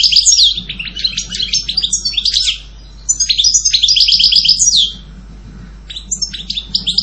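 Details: Goldfinch song in lively bursts of fast twittering and chattering notes with short trills, broken by two brief pauses before resuming in quick, high, tinkling phrases.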